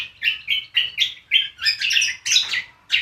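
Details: Cucak kombo in ngriwik song: a quick series of bright, slurred chirps about every quarter second, building into denser, scratchy twitters before a final chirp.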